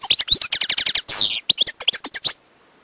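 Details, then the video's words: Wild European goldfinch song opening with rapid repeated trilled notes, then a long descending buzzy rasp, followed by quick high twitters and whistles. "chant chardonneret sauvage/ تغريد حسون نار"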